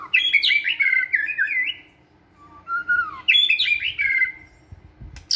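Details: White-rumped shama in a flight cage, singing energetically during stamina training: two bursts of rich, fast warbling split by lower slurred whistles, with faint knocking in the background.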